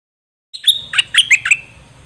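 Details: Song of a dok taeng bird, used to train young birds and get them excited: one quick phrase of about five sharp, downslurred chirps, bright and high.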